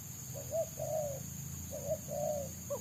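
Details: Wild spotted dove, a trappers' target, with a quick dense 'selang nguku' song. Two soft paired coos, a short note then a longer hollow one, fairly faint above low rumble and a steady high whine.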